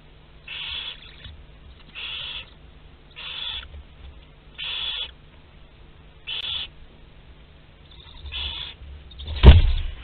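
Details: Barn owl in a Théding nest box on 27 April 2021, with live prey moving inside. Six evenly spaced, short rasping hisses are followed by a sharp, heavy thud at the end.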